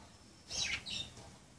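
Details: Budgerigars playing give a brief burst of high, scratchy chirps and warbled notes, two quick phrases about half a second apart, over faint room hiss.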